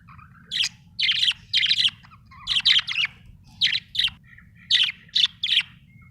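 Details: Budgerigar chirping happily: bursts of bright, scratchy chirps centred high, repeated in short clusters roughly every half second to a second, with a faint low hum underneath.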